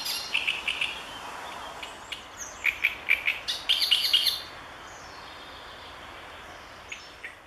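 A marsh warbler sings a fast, varied run of high chattering notes and buzzy trills for about four seconds, then falls quiet with faint background hiss.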